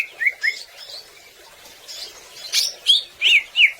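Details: Greater green leafbird, a popular songbird, giving scattered short whistled notes and sharp high chirps with pauses between them.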